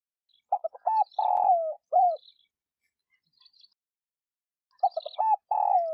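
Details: Decoy spotted dove cooing to prompt other doves to call. Two matching low phrases about five seconds apart, each a run of clipped notes, a long falling coo and a brief closing coo, with faint high chirping between them.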